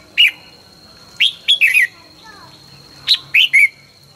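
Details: Red-whiskered bulbul in morning song training, fired-up and quick: crisp descending whistled notes in clusters of two or three, a loud trio near the end, a steady thin tone running throughout.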